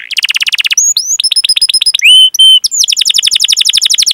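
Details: Long rolling canary song of cuit-cuit type, played to coax young or silent canaries to sing: quick buzzy trill, varied slurred whistles, a pure sustained note, then a fast chattering roll.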